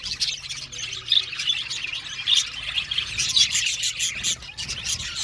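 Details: Budgerigars chirping and singing: bright, rapid twitters and warbled squeaks pour out continuously from several birds, with a low hum underneath.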